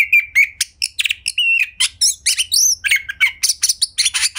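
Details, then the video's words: Kept Oriental magpie-robin singing as a prompt for others: rapid, jumbled run of clicks, whistled slurs and rasping chirps, repeated without pause, with bright upward-sweeping whistles in the middle. "Pancingan Kacer Gacor Agar Bongkar Isian Ngobra"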